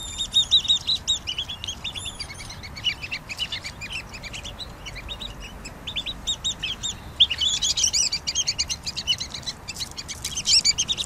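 Pygmy nuthatches keep up a busy stream of high, squeaky piping notes, several birds chattering over one another in quick bursts throughout.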